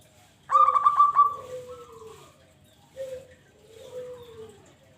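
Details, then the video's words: Local zebra dove calling as a lure for trapping doves: a loud burst of rapid stuttering coos near one second long, followed by softer drawn-out falling coos, a low ending note repeated after a pause. "Pancingan Burung pekutut"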